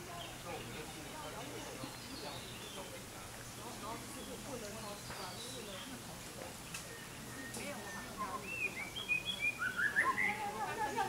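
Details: White-rumped shama at Qiaotou Sugar Factory, Kaohsiung, Taiwan, 29 April 2023: loud, varied, clear whistled phrases rising and falling, bursting in near the end after a stretch of murmuring voices and background hum.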